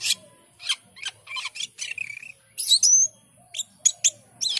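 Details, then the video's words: Lively Asian pied starling song mixing coarse, scratchy bursts with a few clear whistled slurs, delivered in quick, uneven phrases. "Jalak keling gacor dor"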